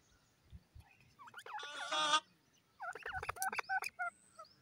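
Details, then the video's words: Black francolin (kala teetar) in a happy, playful mood: a loud, harsh, grating burst of buzzy notes, a short pause, then a rapid series of clipped, ringing notes, over a quiet background. "Francolin in happy mood playing,titer ke awaz"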